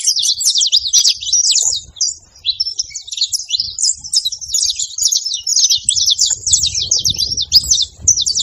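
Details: Saffron finches, a group in rural surroundings, chattering at length: busy overlapping high twitters and quick sharp chirp runs pour out steadily, with a soft low background rumble growing in the last seconds.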